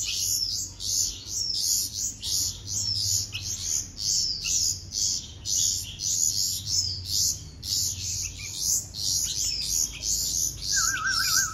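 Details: Hand-fed baby bulbuls begging with shrill, scratchy high chirps repeated in steady pulses roughly every half second; a short wavering whistled tone enters near the end.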